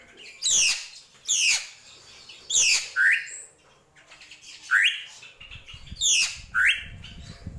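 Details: Srigunting krantil drongo alternating rasping high downward sweeps with brief upslurred whistles, paired phrases repeating several times, soft low rumbling noise underneath toward the end.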